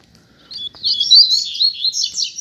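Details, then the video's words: One of a pair of Double-collared seedeaters outdoors on a street delivers a continuous, fast, high warbling song of slurred buzzy notes for about two seconds. "Casal de Coleiro na Rua - Muita Fibra e Canto!!!"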